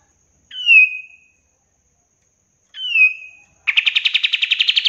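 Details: Master-recording song of the kapas tembak, a bulbul kept as a cage bird: two clear, downslurred whistles about two seconds apart, then a fast, buzzy run of pulsed notes starting abruptly.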